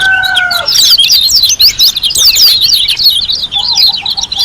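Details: White-eye (pleci) from Lombok in energetic song. A dense, continuous, high twittering warble carries loud zigzag notes. A steady lower whistle from another bird opens the passage.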